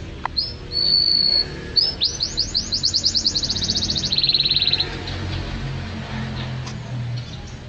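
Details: Canary singing vigorously for a songbird training recording: two steady whistles, then a long rapid rolling trill of rising notes that shifts into a lower buzzy roll before fading, with faint low hum.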